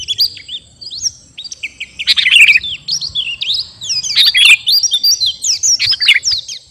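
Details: Kutilang garuda sooty-headed bulbul singing vigorously: scattered slurred whistles at first, building into twisting clusters of bright chirps and looping notes, with a steady faint low hum underneath.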